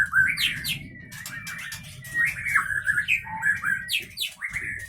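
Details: White-rumped shama (murai batu) of the Leuser strain from Pining, Gayo Lues, Aceh, captive-bred, known for sharp calls and long breath; varied loud whistled phrases with sliding notes and sharp upswept chips, low background rumble.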